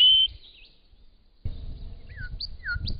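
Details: A Grey Shrike-thrush sings in spring, somewhere in Australia. A long clear whistle opens, then short high slurred notes and downward swoops follow, with low rustling noise underneath.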